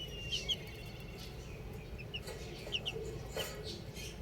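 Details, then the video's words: Baby chicks outdoors giving scattered short, high, downslurred peeps, singly and in quick pairs, over a steady low background rumble. "Cute Baby Chicks Chirping Sounds"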